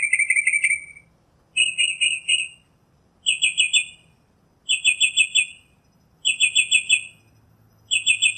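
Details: Northern Mockingbird singing outdoors: bursts of rapid buzzy trilled notes, each phrase about a second long and separated by short pauses, the first phrases drawn out, later ones choppier.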